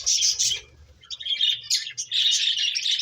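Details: Finches at play give dense, high chirping in bursts, loud at the start, a short lull near one second, then a steady run of overlapping bright tweets to the end.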